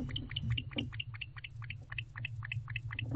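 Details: Barn owl male in a nest box, late August morning, giving gentle courtship vocalizations described as chirping: rapid series of short, high chirps repeated several times a second, over a steady low hum.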